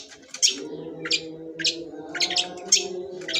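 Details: Cendet sembur, a long-tailed shrike, giving spaced, sharp high chirps roughly every half second over a continuous low hum.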